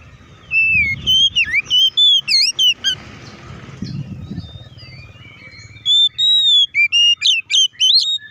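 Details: Oriental magpie-robin singing to provoke other magpie-robins: loud whistled phrases with slurred and rising notes, a pause with faint background noise, then a renewed burst of varied clear whistles.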